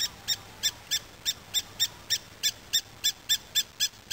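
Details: Greater spotted eagle (Clanga clanga) at Agmon Hula, Israel, 23 December 2009, giving a fast series of short, bright yelping notes, about three per second, steady and evenly spaced over a quiet background.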